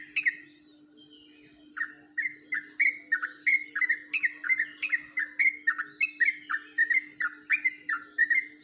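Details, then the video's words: Yellow-vented bulbul from Jombang delivering ropelan song, a style differing from the ordinary bulbul song: after a brief pause, a long rapid run of clear downslurred chirps that steadily quickens into a dense rattling series, with no other sounds. "burung dgn suara ropelan yang berbeda dari trucuk pada umumnya"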